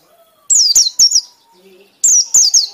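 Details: Piercing white-eye ngekek song in two bursts, each a rapid string of high descending whistled notes, separated by a short near-silent gap.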